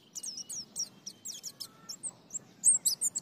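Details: White-eye song in the style known locally as ngalas nembak ngriwik gacor, used as training audio: rapid, very high, thin chirps and short down-slurred whistles in quick bursts, loudest toward the end, over a faint low hum.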